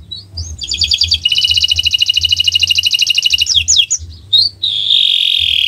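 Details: Canary delivering owor-owor gacor song meant to stimulate birds to sing: a long pulsing rattly trill, a few quick chips, then a steady drawn-out whistle, with a soft low hum behind.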